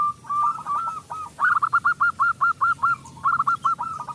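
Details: Local zebra dove, loud-voiced and used as a lure for reluctant doves, gives rapid trains of short whistled notes with hooked starts, a brief rolling note first, then about ten quick repeats.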